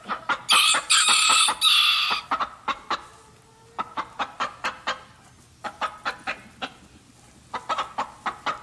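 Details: Domestic chickens: a loud, rasping squawk opens, then evenly spaced, sharp clucks follow in runs of four to six, with short quiet gaps between the runs.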